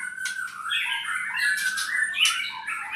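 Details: Albino white-rumped shama, a pet bird, delivers harsh squawky notes mixed with warbling whistles in a continuous tangled phrase, with a faint low hum in the room.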